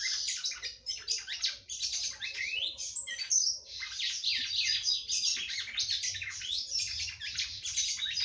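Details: A female red-cowled cardinal sings continuously to stimulate the male: an unbroken, fast jumble of high chirps, trills and short slurred whistles lasting about eight seconds over a low background hum.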